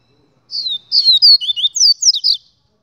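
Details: Song of a double-collared seedeater: a lively two-second string of high whistled slurs, rising and falling notes tumbling in rapid succession, growing louder midway. No competing sounds.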